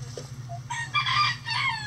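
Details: Backyard chickens doing their daily chicken activities; faint clucks give way to a loud, ragged rooster crow with a rising then drawn-out ending, all over a constant low background hum.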